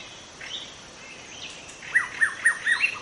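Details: Wild forest white-rumped shama singing. Faint varied phrases at first, then a run of five loud descending whistled notes about every quarter second, with light background hiss.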